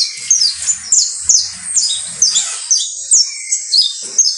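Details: Saffron finch (canario basto criollo) song: loud, evenly spaced descending chirps about every half second, each a sharp high slur, with a short lower whistled note near the middle and faint rustling below.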